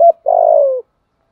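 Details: Decoy spotted dove with a 'giọng thổ' cooing voice: a brief clipped note followed by one drawn-out, level, mid-pitched coo that sinks at the end.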